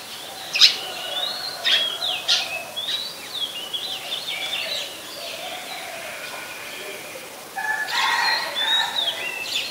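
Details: Song of an Oriental magpie-robin at Ubon Ratchathani, Thailand, 26 December 2020, Nikon P1000: loud sharp notes mixed with varied whistled phrases, a short pause, then a denser burst of whistling near the end, with faint low tones behind.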